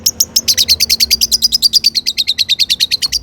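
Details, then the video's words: Lure song of a long-tailed shrike, meant to set other shrikes singing in reply: a fast, steady chatter of high, bright chirps, roughly seven or eight each second, on one pitch for the whole stretch. "burung cendet gacor EMOSI MEWAH buat PANCINGAN CENDET AGAR BUNYI bikin BURUNG PENTET GACOR NYAUT"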